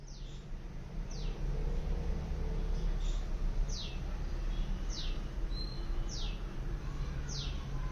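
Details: A bird heard from a balcony gives short, high, downward-sweeping chirps about every second and a quarter, over a steady low rumble of city traffic.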